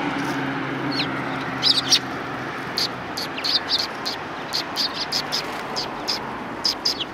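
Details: On a shrine approach in December 2019, sparrows utter brief sharp chirps, irregularly spaced and sometimes clustered, against a low hum of distant traffic.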